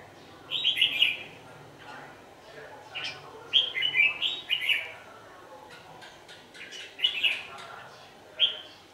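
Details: Decoy red-whiskered bulbul singing at nightfall while wild birds are trapped, 27 November 2018. Loud, rich warbling phrases repeat every second or two, each a quick run of whistled, slurred notes, with brief pauses between.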